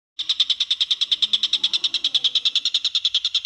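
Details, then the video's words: Greater green leafbird, a training recording for other songbirds, giving full burst song: a rapid, steady trill of sharp high notes, about three per second, sustained evenly for over three seconds. "MASTERAN cucak ijo full tembakan"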